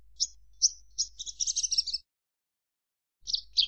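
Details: Javan bush lark giving separate high chirps that speed into a dense buzzy flurry. A short silent break follows before two more sharp notes.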